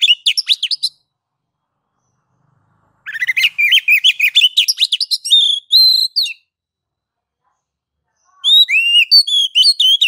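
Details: Oriental magpie-robin in a ngeplong master song to trigger singing in other magpie-robins: three bursts of rapid varied whistles separated by pauses of about two seconds, ending in bright looping notes.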